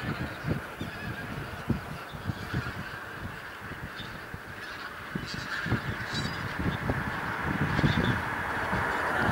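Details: A couple of thousand wild Bean Geese in a field on Texel, Holland, November 2014, many lifting off: a rolling chorus of honks and cackles that swells toward the end, with gusty wind noise beneath.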